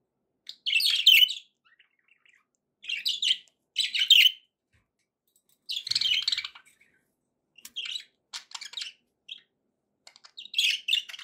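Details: Pet budgerigars chattering indoors, played to encourage a parrot to eat and sing: bursts of bright, scratchy high chirps and warbles, about a second long, separated by short silent gaps.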